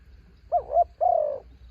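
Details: A single cooing phrase from a decoy spotted dove, said to be a mountain bird braving strong wind: a wavering two-part opening note, then a long, steady, gently falling coo.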